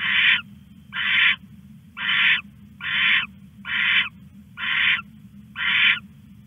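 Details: Live camera at night, 21 August 1:41 am, owl stashing its rat; seven coarse screechy rasps, each about half a second, evenly repeated close to once a second, with constant low hum.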